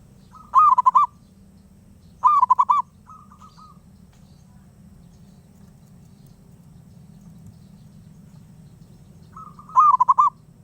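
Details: Persistent wild zebra dove singing three clipped, pulsing coo phrases over ten seconds, the second followed by a softer short echo of coos, steady low rumble behind.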